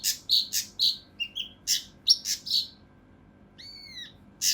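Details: Dense, coarse song of the mountain leaf warbler used as tutor material for contest birds: loud raspy chips and short whistles, then a brief clear downslurred whistle before a final harsh note.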